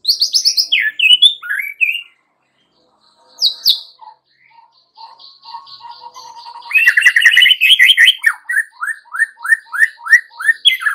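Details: Rich white-rumped shama song used as a lure for young wild-caught birds: loud varied high phrases, a quieter whistled stretch, then a long run of repeated downslurred notes, roughly two per second.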